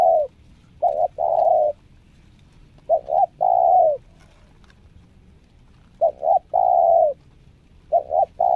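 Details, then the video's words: Spotted dove, a new decoy bird in its second training session, showing nekan nguku, selang nguku and Meratus nguku coo styles. It gives low hooting phrases of two quick notes and a long drawn coo, repeated about every three seconds. "NEKAN NGUKU,SELANG NGUKU MERATUS NGUKU"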